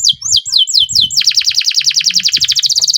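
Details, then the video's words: Singing canary with long rolls, played to prompt other canaries to sing: several high swooping whistles give way to a rapid, even, buzzy roll repeated many times per second. "BURUNG KENARI GACOR NGEROL PANJANG JITU, PANCINGAN KENARI AGAR BUNYI JADIKAN BURUNG KENARI GACOR"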